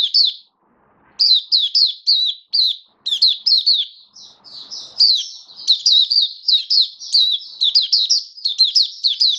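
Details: Oriental white-eye (Mata Puteh) in a cage, October 2022, starting after a short silence into a long run of high, thin warbled chirps that grow denser and more rapid toward the end.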